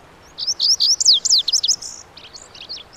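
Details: Lazuli bunting (Passerina amoena) song from western North America, a bright burst of quick descending slurs and buzzes, followed by softer, fainter trailing notes, all high and thin with little background noise.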